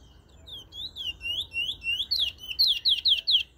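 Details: Bullfinch from Trinidad giving a loud whistled phrase of looping slurred notes, about two a second at first, then quicker, louder and sharper toward the end.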